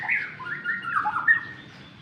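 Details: A White-rumped shama (murai batu) set out in the sun sings a short run of rich, sliding whistles, mid-pitched and varied, rising and falling over two seconds against a faint background hum.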